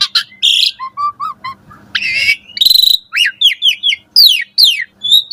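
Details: A jalak suren, the Asian pied starling, sings a morning training song for caged birds: low piping notes, harsh broadband bursts, then a run of clear slurred whistles and descending sweeps.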